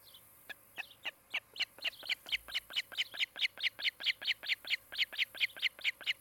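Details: Nest camera in Charlo, Montana, 16 July 2018, afternoon: a breeding osprey pair's nest gives a steady run of piercing, high whistled chirps, nearly twenty-five notes repeated about every quarter second, loud and even, with a quiet background.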